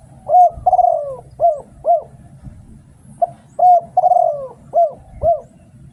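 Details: Spotted dove decoy song from Thailand with a steady cadence: a clear coo, a long descending coo, then two short arched coos. After a pause the whole phrase repeats, over a low murmur.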